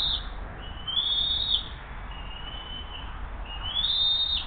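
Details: Hays nest camera, bald eagle mother bringing a second fish and feeding the eaglet on a June 2023 morning. Long, thin, high whistles, each slightly rising, drawn out for about a second, with steady low rumble behind.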